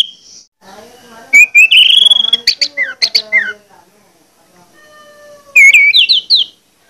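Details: Orange-headed thrush, song used to provoke other males into singing: a long rising whistle, quick chattering notes and falling slurs, then a bright rising series of whistles.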